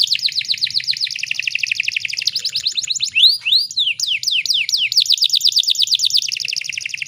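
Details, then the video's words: Female canary in breeding condition, used as a lure for males to sing: long rapid rolled trills, broken midway by a few swooping whistled notes, then more fast trilling. "PANCINGAN KENARI BAHAN AGAR CEPAT BUNYI"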